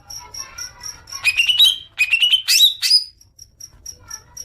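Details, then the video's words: Green leafbird (cucak ijo) lure recording meant to make birds chatter long: bursts of sharp, rising whistled and buzzy notes, some sweeping upward, between faint repeated high ticking notes in the background. "Pancingan suara cuca ijo agar cepat ngekek panjang"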